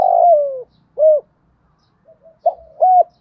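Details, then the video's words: Spotted dove with the 'thổ đồng' voice, used for luring and training decoys. A long, strong coo slides downward, then one short arched note and, after a pause, a quick pair of coos. "Cu gáy kích bổi, Tiếng Cu gáy THỔ ĐỒNG (THÚC + GÙ + GỌI ) kích mồi tập bổi"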